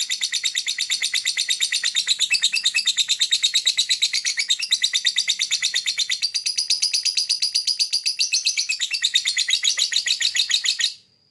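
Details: Lovebird singing in a fast, continuous chatter of shrill buzzy notes, about three per second, sustained for roughly eleven seconds before stopping abruptly, used as a bird whistle training sound.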